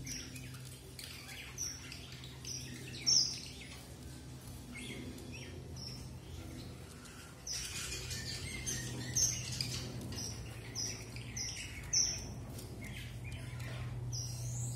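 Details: Strawberry finch, the red avadavat, with scattered high, thin piping notes, several short level whistles in a series near the end, over steady low hum and some rustling.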